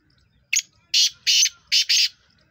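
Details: A Black francolin, recorded 23 September 2023, gives a harsh, grating phrase: one short rasping note, then two pairs of longer, scratchy notes, all delivered in about one and a half seconds.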